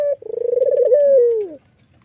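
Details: Red-eyed white Barbary dove nods while calling: a brief opening note, a rapid throbbing roll, then a level, smooth coo drooping downward to close.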